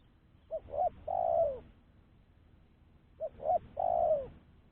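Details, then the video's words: A spotted dove's clean lure call, two short rising coos then a long mellow falling coo, phrase repeated twice nearly three seconds apart against a soft low hum. "Suara Burung Tekukur-Pancingan Suara Tekukur Bersih"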